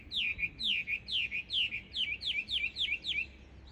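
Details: Introduced Chinese hwamei chattering in birch trees on a sunny day, pouring out a fast run of about nine loud, clear whistled phrases, each sliding downward then flicking back, roughly two or three per second.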